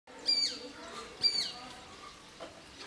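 A sparrowhawk gives two sharp, high, slightly falling squealing notes about a second apart, over faint background hiss.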